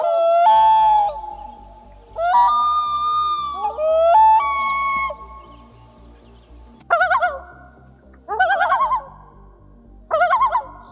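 A Common Loon gives long, sliding, mournful wails, then three short bursts of rapidly warbling yodel notes, with steady background music underneath.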